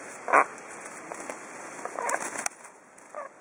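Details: A pet common hill myna after its bath gives one loud, harsh squawk, then a few softer gurgling notes, with faint rustling like shaking feathers.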